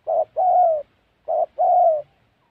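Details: Spotted dove calling during trapping in Gia Lai's wild mountain forest, Central Highlands, Vietnam. Two phrases are heard, each a clipped low hoot followed by a drawn-out, gently falling coo. The setting is otherwise quiet.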